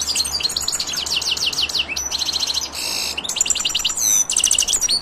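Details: Silvestrismo recording of a European goldfinch giving a lively high-pitched song: rapid tinkling chirps, repeated slurred notes and brief buzzy trills in dense bursts, with a faint low hum in the background.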